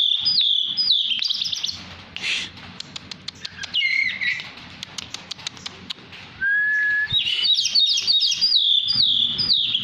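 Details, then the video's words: Tame Oriental magpie-robin, black-and-white poci form, singing energetically. Fast, twisting whistled phrases are broken by clicks and a lower, steady whistle, then a rich, rapid warbling run closes the passage. "Burung kacer poci jinak gacor"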